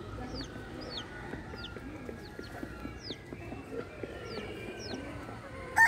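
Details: Chickens at the Parque da Água Branca livestock area in São Paulo: thin, high chick peeps, rising and repeated roughly every half second, over a low murmur of hen clucks and general yard noise.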